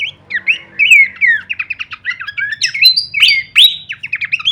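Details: Horsfield's babbler singing a full-variation masteran song: rapid chirps and whistles climbing to a few high, piercing upslurred notes, delivered quickly over a faint low hum.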